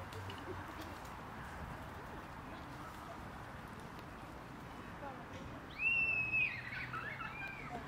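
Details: A common kingfisher in Tivoli Landscape Park, Ljubljana, on 6 October 2023, gives one shrill, thin, high whistle lasting about half a second near the end, over a steady low background rush.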